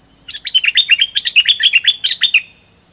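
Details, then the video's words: Caged bulbul, its plumage now fully grown in, delivers a pure double-style song: a fast run of about fifteen bright, warbled, up-and-down notes over two seconds, evenly spaced and loud, with a faint steady high hiss behind. "เสียงนกดอกแตงเจ้าเพชร Ep.8 ขนเต็มแล้ว เบิ้ลล้วนๆ"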